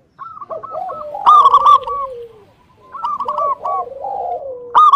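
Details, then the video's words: Local zebra dove singing as a lure to make rival doves call back: rapid run of short gurgling notes ending in a drawn-out falling coo, repeated twice with a clear pause between phrases. "PERKUTUT LOKAL GACOR UNTUK PANCINGAN EMOSI LAWAN SEMUA IKUT BUNYI"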